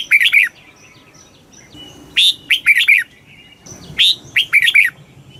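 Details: Three rapid phrases from a red-whiskered bulbul in fast kích bổi style, each a tumbling run of bright, slurred, chirpy notes, with faint high whistles in the gaps.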